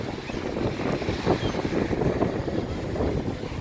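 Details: Wind buffeting the microphone over steady rushing water and surf, with no animal calls.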